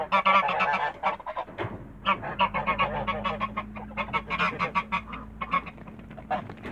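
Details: Backyard Toulouse geese give bursts of rapid, raspy honks separated by short pauses, over a steady low hum.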